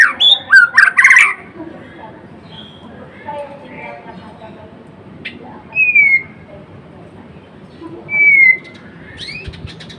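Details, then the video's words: White-rumped shama, the Murai Blorok variety, singing actively: a burst of bright whistled notes near the start, then two lone slurred whistles several seconds apart over quiet background hiss. "Kicauan MURAI BATU GACOR (Murai Blorok gacor)"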